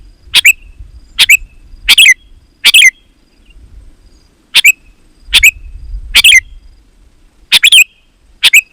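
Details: Luring song of a sooty-headed bulbul: short, clear, slurred chirps in ones and twos at irregular intervals, with a soft low-frequency rumble in the background.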